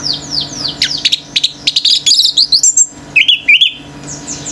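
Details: Orange-headed thrush male in full, relentless song that sets other birds off: a dense run of varied sweeping whistles, sharp chips and slurred phrases, rising and falling quickly, over a faint low electrical hum.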